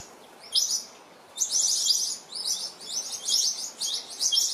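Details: New Holland honeyeaters disturbing a resting mother Western Grey kangaroo and her joey: sharp high chirps in quick bursts, several birds calling together after a quiet start.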